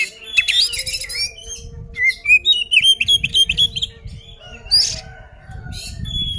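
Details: Provocative fighting song of an oriental magpie-robin: a rapid run of clear whistled notes, about four per second, climbing and falling, then sparse chirps, over low rumbling noise.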